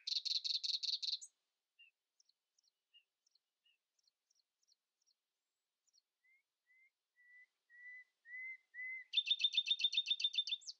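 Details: Common nightingale in early-morning song, not letting rivals sing louder: a loud, buzzing rattle, quiet ticking notes, then a crescendo of pure, low whistles leading into a loud, rapid, metallic trill.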